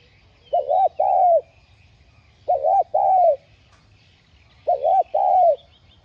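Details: Decoy spotted dove used to lure wild doves, giving calling, urging and soft cooing phrases: three deep two-part coos, a short note then a longer falling one, repeated roughly every two seconds over a low hum.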